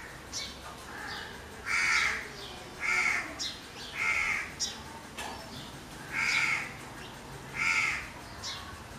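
A crow gives five harsh, raspy caws, each about half a second long, spaced one to two seconds apart, with a few softer notes between them.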